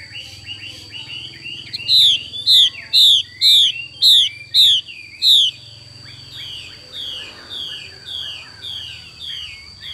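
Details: A female Chinese hwamei's xùy call: soft twitters lead into seven loud, quick downslurred notes, followed by a string of fainter, softer falling notes that trail off, with a low hum beneath.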